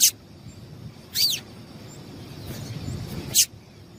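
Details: Three separate, high, sharp notes from a female double-collared seedeater, a call meant to prompt males to sing. The middle note is longer and slurs downward. Soft, steady background noise fills the gaps.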